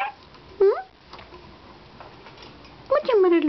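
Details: Bare-eyed cockatoo kept as a pet, yelling and playing in its morning routine: two loud, harsh, bending screeches, one early and a longer one at the end, with quiet rustling and tapping between.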